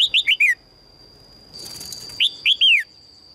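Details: A female red-whiskered bulbul calls to draw in a strong male: a rapid four-note chirping phrase, a burst of rustling noise, then a three-note phrase ending in a long descending whistle, over a constant high hum.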